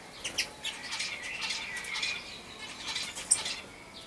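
Common Starling chatter: a dense, busy jumble of harsh clicks, rattles and squeaky notes, with overlapping bursts suggesting several birds and perhaps wingbeats.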